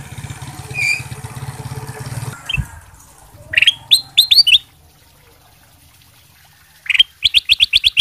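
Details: Ruby-throated bulbul, kutilang emas sutra, in lively song used to draw replies from other birds: after low rumbling, a burst of clear rising whistles, a pause, then a fast run of repeated bright notes.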